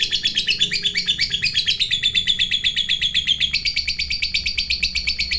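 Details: Lovebird fighter in extended ngekek panjang chatter meant to rile rival lovebirds: an unbroken train of fast, harsh, high pulses that shifts slightly in pitch midway, steady and loud throughout.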